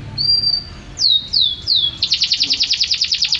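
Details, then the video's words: Champion canary in song: a high whistle, three descending whistled slurs, then a rapid rolling trill of bright repeated notes, about six per second. "suara kicauan burung KENARI"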